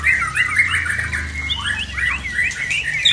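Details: White-rumped shama, Aceh bird from Tangse, singing aggressively after moulting: fast varied whistled phrases, sliding and warbling, repeated quickly and continuously with a low hum underneath.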